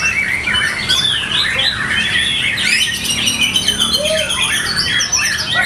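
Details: At a practice songbird contest, a white-rumped shama delivers fast, varied song: dense rising and falling chirped phrases, high trills and a brief lower whistle, continuous and loud throughout.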